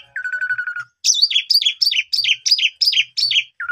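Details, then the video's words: Asian pied starling lure song: a low buzzy steady note, then a high descending two-part phrase repeated about seven times at an even pace, ending on a lower note. "Pancingan Jitu 1 Menit !! Jalak Suren Paud Macet Tidak Mau Bunyi Langsung Gacor Bongkar Isian"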